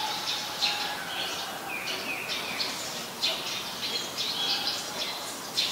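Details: Eurasian tree sparrow, a very common resident, recorded at Ubon Ratchathani, Thailand, on 10 May 2020: short, bright, buzzy chirps given in scattered bursts, some in quick pairs, over a steady hiss with faint low hum lines beneath.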